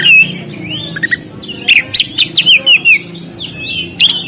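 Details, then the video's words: Oriental magpie-robin singing on a contest stand: a clear whistled note, then a run of about seven loud, rapid, sliding whistles, ending with a brief trill, over a steady low hum. "SUARA BURUNG KACER, Langsung on di gantangan"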